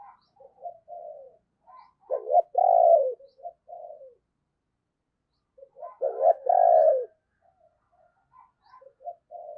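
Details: Decoy spotted dove used to lure wild doves, giving its 'thúc' and 'gáy' calls: soft low cooing notes building to a loud, drawn-out rounded coo, the phrase repeated twice with quiet gaps and short murmurs between.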